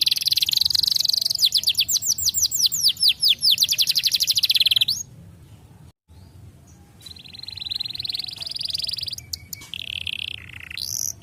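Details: Canary song for training young canaries: about five seconds of fast rattling trills and falling sweeps, then a near-silent gap and softer steady high tones with quiet background.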